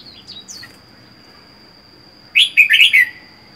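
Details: Solitary caged red-whiskered bulbul, wild-caught four months ago, with faint whistles at first, then a loud rapid burst of four or five bubbly warbled notes near the end, over a continuous high tone.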